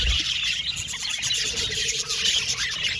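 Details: Budgerigars in an Australian budgie aviary colony, a dense, continuous wash of high chirps, squeaks and warbling chatter from many birds at once, with no pauses and a few faint low thumps near the start.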